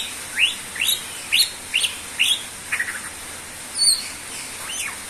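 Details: Greater green leafbird (cucak ijo) in full, lively song, suited as a lure for other birds: sharp upslurred chirps repeated roughly twice a second, then a short stuttered trill and a few high, thin notes.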